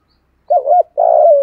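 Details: A single loud morning call from a spotted dove, giọng thổ style. A short wavering double hoot runs straight into a sustained, slightly gravelly coo that drops toward its end. No other sounds are heard.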